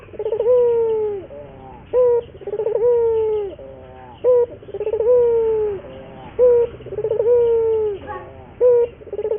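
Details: Steady lure cooing of a local Barbary dove to help train other doves to sing: short clipped notes alternate with long tremulous coos, about four cycles, evenly spaced.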